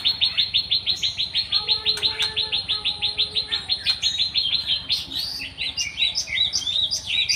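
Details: Wild Java sparrow pouring out a dense stream of short, even chirps, roughly three per second, shifting to varied higher notes near the end.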